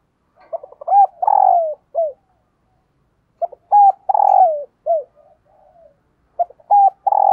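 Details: Decoy spotted dove calling to lure wild doves. Three cooing phrases about three seconds apart, each a short note, a quick double coo, a long rolling coo sliding down, then a final falling coo, in a quiet setting.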